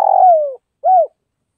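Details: Spotted dove from Northwest Vietnam: a rough, drawn-out falling coo that slides downward, then a short arched coo after a brief pause; nothing else audible.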